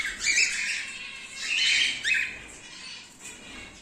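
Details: Silver male cockatiel uttering rough, hoarse squawks in a few uneven bursts that fade into quieter scratchy calls, with faint room noise behind.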